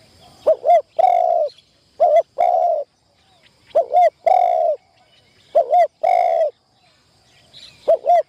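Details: Spotted dove used as a decoy for trapping, cooing in its first session at the trap: four regular phrases, each a quick two-part note and then a long mellow coo, spaced about two seconds apart in quiet surroundings.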